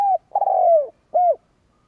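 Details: Spotted dove used as a decoy to provoke rival birds, giving a single cooing phrase: a brief note, a long drawn-out croo sliding down in pitch, then one rounded hollow coo.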